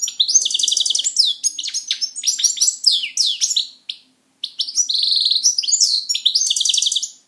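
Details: A pet European goldfinch singing: a fast, continuous twittering of tinkling notes and buzzy rattled trills, with one brief pause near the middle before the chatter resumes.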